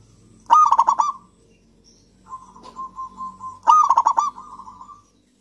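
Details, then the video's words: Local zebra dove singing steadily, played to coax reluctant doves into song: two loud phrases of rapid, knocking coo notes, each easing into a long even purr, with a softer purring trill between them. "perkutut lokal gacor kutut lokal gacor ampuh untuk pancingan kutut malas bunyi dan macet"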